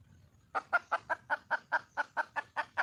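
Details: Wild red junglefowl hen seeking a male: a steady, fairly soft run of about twelve short, clipped clucks, evenly spaced roughly five per second, with nothing else audible.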